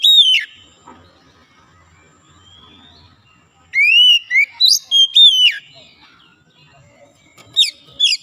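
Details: A kacer, or Oriental magpie-robin, recovering from reluctance to sing: a sharp downslurred whistle, a long quiet gap, then a rapid cluster of rising and falling clear whistles, and two more at the end.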